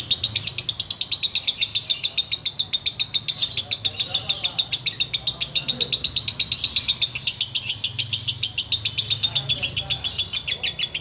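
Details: Sooty-headed bulbul keeps up a long ngekek chatter, about three and a half sharp high pulses per second without pause, bright whistled overtones, with faint murmuring and low hum in the background.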